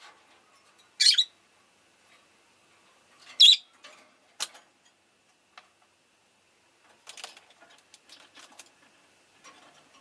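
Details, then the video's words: Rosy-faced lovebird gives three loud, shrill chirps a couple of seconds apart, then softer scratchy clicks and rattles. "Lovebird Chirping Sounds"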